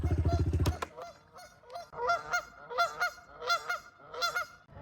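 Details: Geese on a property's pond in early spring, apparently unhappy at a vehicle arriving fast, give loud, nasal honks in a ragged run of about five bursts, one every 0.7 s, after a low engine rumble.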